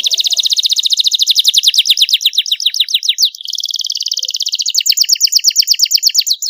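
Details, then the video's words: Young canary singing a master song in a long, ornate, clear style meant for training other songbirds: rapid, evenly repeated high descending notes at about three per second, shifting midway to a second fast trill. "MASTERAN KENARI PAUD CENGKOK MEWAH SUARA JERNIH DURASI PANJANG"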